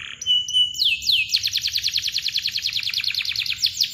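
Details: Gacor canary singing long, tightly packed rolling chirps meant to set off birds that have stopped singing; a thin steady whistle and two sweeping notes open a rapid train of falling chirps, about three per second.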